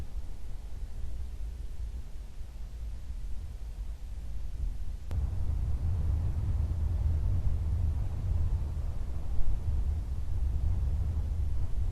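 Steady low rumble of wind or distant traffic with no animal sound, growing slightly louder partway through.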